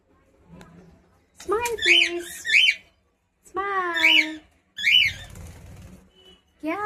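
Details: Indoors, a pet cockatiel gives repeated sharp chevron-shaped chirps in short bursts, mixed with a lower, drawn-out wavering voice with stacked overtones.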